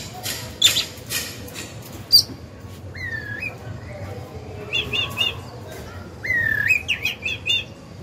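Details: Oriental magpie-robin kept as a decoy bird, singing to provoke other birds into song: scattered clear whistles, including rising two-note slurs and quick triple notes, separated by pauses over a steady low background hum.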